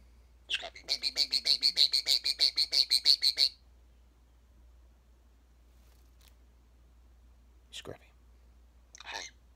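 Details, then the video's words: Pet European starling, rescued two years earlier after falling from its nest, chattering to its owner in Vineland, New Jersey, USA, on 5 April 2020: a rapid, buzzy rattle of about fourteen clicking notes over three seconds, then two brief squeaky calls. "A European Starling Talking to his Dad"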